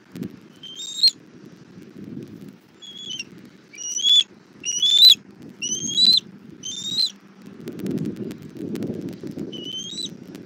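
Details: Bald eagle at a nest in southwest Florida, 17:30 on 1 April 2024, as the mother brings food to her chick: a loose series of thin, high whistled notes, some with a sharp upward flick, roughly once a second, over steady low wind rumble.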